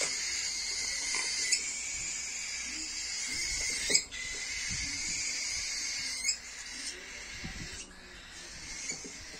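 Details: Two cockatiels give a steady, raspy, high-pitched buzzing while being fed.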